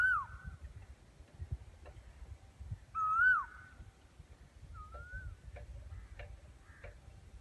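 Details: Asian koel singing, recorded while walking along a railway track: three clear whistled notes that sweep upward, the middle one loudest, over faint clicks and a low rumble.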